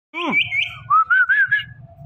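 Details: Indian ringneck parakeet talking, repeating the word Mitthu: a bright whistled opening followed by a chain of four quick rising, wavering notes, clean and close, with faint low background hum.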